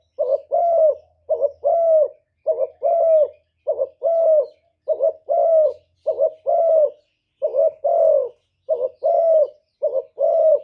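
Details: Spotted dove, 'thổ thúc' voice, cooing to challenge rivals. A rapid unbroken series of about ten low hooting phrases, each a short double note and a longer drawn coo, roughly one phrase per second, with a faint low buzz early on.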